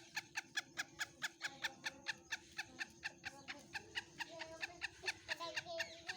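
Black francolin giving a fast run of sharp, harsh clicking notes, about three a second, with a steady low hum in the background.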